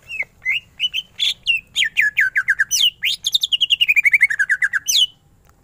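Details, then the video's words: Greater green leafbird, kept as a songbird, singing a lively 'ngentrok' style song: rapid series of clear whistled notes, first spaced, then a fast run of slurred notes falling step by step, about four per second, loud and dense. "Cucak ijo gacor full tembakan ngentrok"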